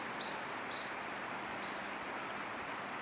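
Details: Courting common kingfishers, male and female beginning a new pairing: three short, piercing high whistles in quick succession followed by a sharper thin note, against constant soft outdoor noise.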